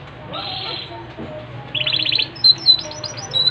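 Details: Yorkshire canary in full song. A short rolling trill opens, a second rapid trill follows, then sharp high whistled notes and quick chips.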